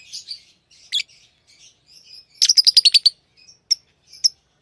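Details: Pet lovebirds chatter softly, then break into a rapid run of about eight sharp, high chirps, ending with a few isolated tweets.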